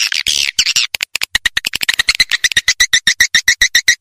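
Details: Played to draw swiftlets in: an opening burst of buzzy twittering, then rapid, evenly spaced clicking chirps, almost four per second, growing clearer toward the end.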